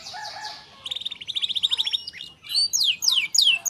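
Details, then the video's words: A singing canary used as a lure to prompt a silent canary to sing gives a rapid, high rolling trill, then a run of bright descending whistled sweeps repeated about every half second. "kenari gacor untuk pancingan Kenari macet bunyi"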